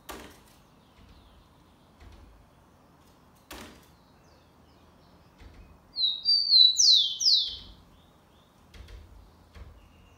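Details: Rufous-collared sparrow giving the Xavante song type, recorded 4 October 2020: one short phrase of clear whistles ending in two falling slurs, set among occasional low knocks and thumps.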